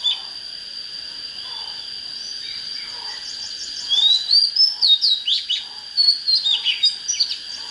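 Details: Oriental magpie-robin starting quietly and then breaking into a quick series of rhythmic chirps and whistled slurs in the second half, over a steady high hum.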